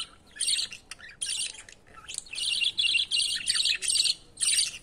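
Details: Baby budgerigar climbing up to be fed by its father: bursts of high, rasping chirps and squeaky twitters come in rapid runs lasting about half a second, separated by brief pauses, against a quiet background.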